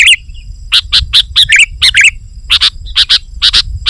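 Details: Sooty-headed bulbul's rival-pressing song used to attract wild bulbuls: quick bright chirps, some with a twisting upward inflection, mostly paired and repeated about twice a second.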